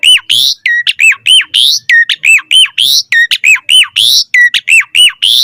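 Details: Asian pied starling training song: a steady, rapid run of arched whistled notes alternating with harsh buzzy bursts, about one phrase per second, loud and clean with no other sounds.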